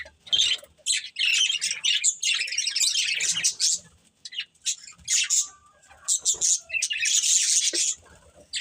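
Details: Pair of breeding budgies producing high, rapid chirping in uneven bursts, louder at the start and near the end, separated by quieter gaps with scattered single tweets.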